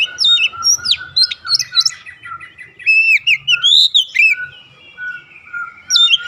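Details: Oriental magpie-robin pouring out a rhythmic calling song, dense runs of loud whistled and slurred notes with a steady lower whistled tone running beneath, phrases repeating with brief gaps.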